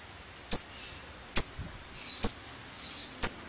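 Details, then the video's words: Lovebird giving the ticking 'ngetik' style, used to lure other lovebirds into singing: four sharp, high, clipped chirps, each with a quick downward tail, spaced about a second apart over a quiet background. "Suara Burung LoveBird Ngetik Ngekek Panjang Terbukti Ampuh Pemancing Love Bird langsung Ikut Ngekek"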